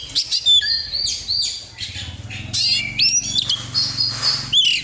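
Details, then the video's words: Oriental magpie-robin song played as a lure to set other birds singing: quick, varied high whistles, sweeping upslurs and downslurs with short chattery bursts, delivered in a busy, almost unbroken stream, with a faint low hum beneath. "pancingan burung karcer"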